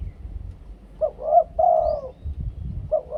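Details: Two-kuk koo-ang luring song from a spotted dove: two quick hooked coos leading into a long drawn falling note, the phrase starting again at the end, over soft low rumble.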